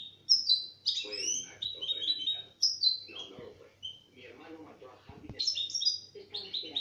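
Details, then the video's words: European goldfinch taken straight from the cage singing a quick, liquid twitter of high tinkling notes and buzzy trills in bursts, with a man's voice talking briefly midway. "Jilguero el cuchilla sacado del cajón cantando"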